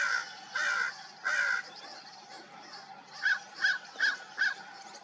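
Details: A flock of crows at dawn: three long, raspy caws, a short gap, then four quicker clipped caws in a fast row, over a low constant hum.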